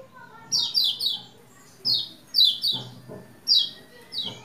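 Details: Lombok white-eye singing to provoke a male into song: short bursts of high, buzzy, descending twitters repeated in groups, with low knocks and faint background sounds between phrases.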